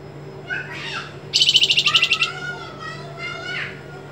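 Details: White-rumped shama song for training songbirds, with sharp 'besetan' and vibrating trills. Soft slurred whistles lead into a loud rapid pulsed trill of about a dozen beats, followed by falling whistled notes and a short rasp.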